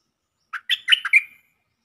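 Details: Lure song of a caged stripe-throated bulbul, a single bright gurgling phrase of five notes with the last one trailing off, clean and without background noise.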